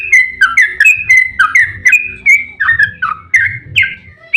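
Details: Yellow-vented bulbul, lively emotional ropel-style song used to prompt other bulbuls to answer; rapid run of bubbly whistled notes around mid pitch, each sliding down then up, repeated about once a second, faint low hum beneath.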